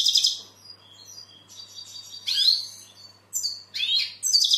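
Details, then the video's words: Goldfinch song kept as an aviary bird, said to attract females and prompt young goldfinches to sing: short liquid twitters, a sweeping rising-falling slur, then bright bursts of chirps, with faint low hum. "Goldfinch bird singing the best sounds (chirping)"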